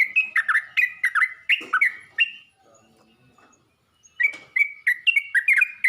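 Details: A yellow-vented bulbul calls to other bulbuls with a burst of bubbly chirps, falls silent for about two seconds, then resumes with a fresh run of quick notes.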